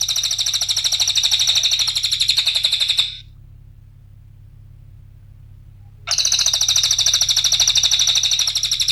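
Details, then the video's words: Two long runs of fast, ringing high trilling from a cililin, each around three seconds, separated by a quiet gap; the recording serves as a lure to make songbirds sing. "Mp3 suara Cililin RAPAT GACORNYA,pancingan cililin SEMUA jenis Burung Berjuara,cara masteran cililin"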